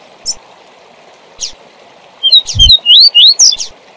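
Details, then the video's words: Double-collared seedeater 'tui tui zel zel' training song for young birds; two soft chips, then a fast sequence of piercing upslurred whistles, one dull thump, and steady stream-like noise throughout. "CANTO TUI TUI ZEL ZEL PARA ENCARTE DE COLEIROS E PAPACAPIM"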